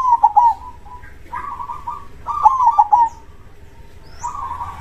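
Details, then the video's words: Zebra dove (crossbred, strong-voiced) in active song: three cooing phrases, each a level hum broken into quavering trilled notes, with faint chirps of another bird above. "suara perkutut gacor dor krosing suara besar"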